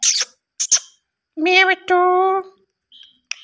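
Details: A pet Indian ringneck parakeet talks in two high, nasal, word-like phrases, preceded by a few sharp scratchy chirps and followed by a faint squeak.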